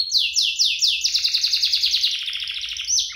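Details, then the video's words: Two canaries singing hard, a lure to get other canaries singing and a model for young ones: four swooping downward whistles, then a long fast buzzing trill and a final clear high note. "Kompilasi DUO GACOR, cocok untuk pancingan kenari biar gacor, masteran kenari paud"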